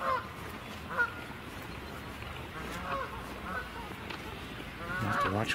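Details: Geese on the water close by give loud nasal honks in scattered bursts, with a cluster of rapid honks near the end, while a man talks quietly over low background noise.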